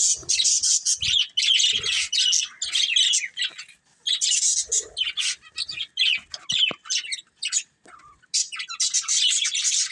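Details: Several pet budgies twitter in rough, buzzy chirping bursts lasting a second or two each, separated by short silences, with a few faint clicks.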